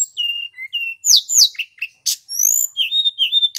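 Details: Male Sunda robin, mountain form, recorded clearly as a tutor for magpie-robins: steady mid-pitched whistles alternating with sharp downward-swept notes, a brief buzzy burst, then long high whistles and repeated short phrases.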